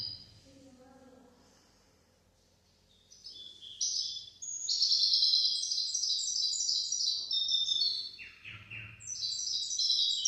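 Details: Goldfinch-canary hybrid song meant as a tutor for goldfinches and canaries: after a quiet start with faint low chatter, bright high twittering and rolling trills build and run continuously, with a lower buzzy note near the end.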